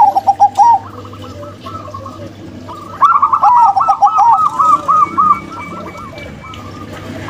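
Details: A local female and a crossbred male zebra dove coo in rolling, rapidly repeated notes: a short burst at the start, a quieter gap, then a long dense run of bouncing notes lasting about two seconds, over a low hum.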